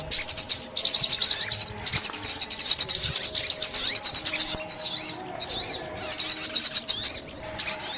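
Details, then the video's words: Sunbird in Vietnam, a recording used for trapping: a rapid run of thin, high, buzzy chips and trills in bursts, with a few sharp rising-falling notes near the end. "Tiếng Chim Ốc Mít"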